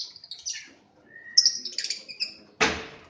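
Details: Lovebirds in a breeding aviary in Aceh: shrill, high chirps and short squeaky trills come in quick bursts, with one long thin whistled note, ending in a sudden broad rattling clatter.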